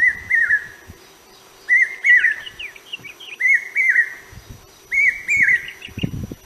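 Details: Common hawk-cuckoo, the brain fever bird, known locally as Chokh Gelo or Keteki, calling: loud whistled phrases of two to three notes at steady pitch, repeated in bursts about every 1.5 seconds. Higher chirps from other small birds and low thumps are heard.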